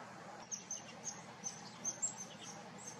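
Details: A group of Common redpolls feeding busily in a backyard in winter before snowfall late in the day, giving brief, high, thin chips about ten times in three seconds over soft hiss; chickadees, jays and a squirrel are also said to be heard.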